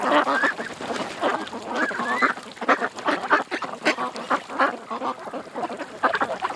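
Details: Ducks at a creek call nonstop, loud harsh quacks rising and falling in intensity as many birds join in, with an occasional longer, rising call among them.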